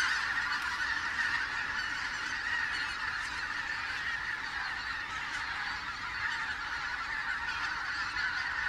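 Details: Autumn arrival of greater white-fronted geese, recorded 16 October 2016; a large flock heard at a distance, its overlapping calls fused into a constant, even murmur of honking throughout.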